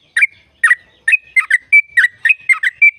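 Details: Yellow-vented bulbul, recorded as a lure for caged birds, giving a short burst of gurgling notes that alternate with clear level whistles, about three notes a second.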